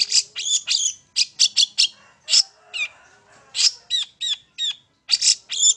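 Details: Long-tailed shrike song used as a lure to provoke other birds to sing: a varied run of sharp, harsh, chattering notes with bright whistled overtones, delivered in quick clusters separated by short pauses.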